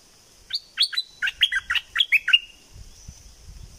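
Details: Bulbul from southern Thailand giving a lively 'sai ble' phrase of about nine clear, downslurred whistles in quick succession, then falling quiet as low background rustling and a high steady tone continue.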